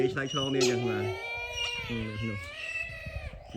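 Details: Brahminy kite, several calling back and forth in the mountains, gives a long nasal wavering mewing wail like a crying child, as a man talks over the start.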